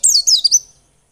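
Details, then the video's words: White-eye lure song meant to stimulate other birds to sing: a brief run of three high, thin chirps sliding downward, closely spaced within under a second, on a quiet background. "Pancingan pleci biar gacor dan ngotot."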